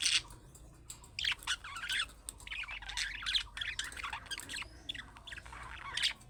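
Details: Budgerigar calling-style chatter, the kind young birds make to draw replies from other budgies; continuous scratchy warbling and clicking chirps in quick runs, over a low steady background hum.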